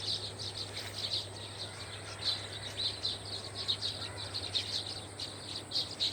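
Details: A flock of birds gathered together to forage on open ground, before returning to their nests at evening, keeps up a dense, steady chatter of high, short overlapping chirps over a low constant hum.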